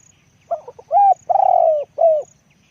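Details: Spotted dove, a deep-voiced decoy, utters a single phrase: faint quick lead-in notes, a clear rounded coo, a long rattling purr that drops in pitch and a short falling end note.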